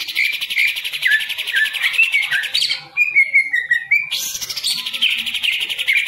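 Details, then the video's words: Green leafbird kept in a cage pours out a fast, buzzy, high warble, breaking into a clear falling whistle midway, then launching straight back into dense chatter. "Cucak Ijo Salto jadi Anteng Lagi"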